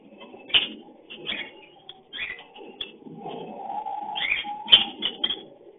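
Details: Lovebird calling while breeding: sharp squeaky chirps repeated in short bursts, a drawn-out nasal note near four seconds, then a loud cluster of shrill chirps before fading.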